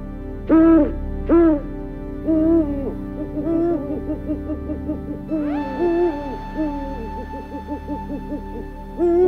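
An owl gives two loud, quick hoots, then a run of softer, wavering hoots, over a sustained musical backing.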